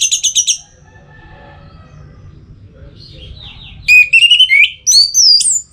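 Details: Orange-headed thrush singing, intended to rouse birds into song: a fast stuttering series of high notes, a quiet gap, then a rich phrase of trilled, rising and falling whistles with sharp high accents.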